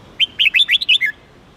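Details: Red-whiskered bulbul giving a single melodious phrase of about seven quick, clear whistled notes, rising and falling, ending on a lower slurred note.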